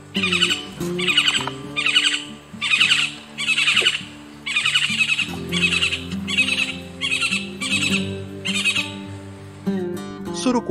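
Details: Yellow-tufted Woodpecker, a common Amazonian woodpecker that calls year-round, giving about ten harsh, rattling bursts, each under a second long, roughly once a second over steady background music.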